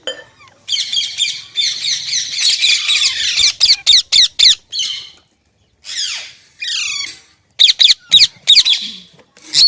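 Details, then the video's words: Green parrot, said to be talking, opening with a long grating chatter, then sharp clicking squawks, short gaps and strings of rising, wavering screeches. "Green Parrot Talking Natural Sounds | Mitthu Ki Awaaz | Tote Ki Awaaz"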